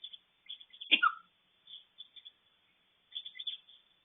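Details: Eclectus parrot copying a cold sufferer's cough: one rough, explosive cough-like burst ending in a brief tonal squeak, set among quiet, high-pitched chattering notes before and after.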